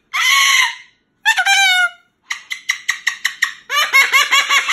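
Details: Complaining at bedtime, a caged Moluccan cockatoo gives a long harsh squawk, a wavering falling screech, a run of eight quick sharp barks, then a rattling burst of rapid squawks.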